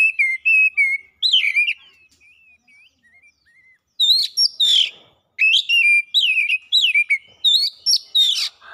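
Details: Kacer (oriental magpie-robin) lure song meant to trigger fast singing and mimicry: steady whistled notes, then a loud slurred phrase, soft scattered twitters, and finally a long run of loud varied whistles and rasps.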